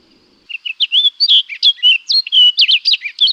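An Orchard Oriole sings a fast, jumbled run of clear whistled notes that slur up and down, with about a dozen phrases in three seconds and no other sounds.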